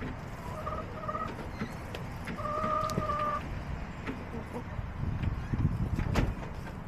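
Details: Backyard chickens on a homestead, recorded April 23, 2024: two short paired clucks early on, then a longer, steady, drawn-out nasal hen call lasting about a second. A constant low rumble of background noise runs throughout, with scattered clicks.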